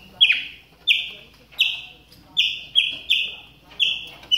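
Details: Captive Chopi blackbird warming up its voice during the moult, giving a string of short clear whistled notes with a falling tail, about seven in four seconds at irregular spacing, with faint background chatter.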